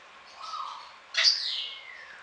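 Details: Sun conure of the golden colour form at a garden in Pelhřimov, Czech Republic, on a rainy November morning, 6 November 2017; a soft mid whistle, then a harsh, loud screech that rises and slowly falls away.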